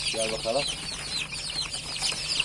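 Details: Recently hatched chicken chicks peep in a thinner, softer chorus of high falling cheeps, with a man's voice speaking briefly at the start.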